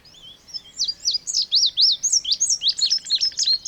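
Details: Indigo bunting singing a lively string of high, clear slurred notes, many doubled, with a steady fast rhythm and a faint buzzy rattle beneath the final notes.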